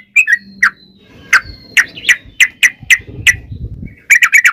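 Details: Sooty-headed bulbul singing as a lure for other bulbuls: spaced, sharp whistled notes over a low background hum and rustle, ending in a quick burst of four notes.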